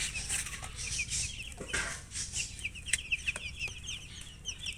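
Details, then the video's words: High rapid chirping from a flock of colour chickens, building into a dense run of overlapping peeps, with some rustling and knocking noises early and a low hum throughout. "silly chicken chirping sounds with murgi hen color chicken"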